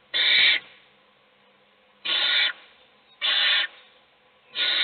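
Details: Owl chick fed by its mother as the other chicks sleep, giving four rasping, hissing screeches of roughly half a second, spaced one to two seconds apart, with quiet between.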